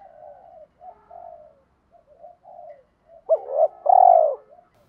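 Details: Spotted dove used as a decoy to prompt wild birds to call: faint soft murmuring coos at first, then one loud phrase of a short hooked note and a long, resonant, falling coo.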